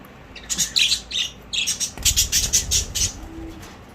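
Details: Budgerigars chatter in quick, bright chirps and scratchy warbles, several birds calling over one another; recorded 12 September 2023.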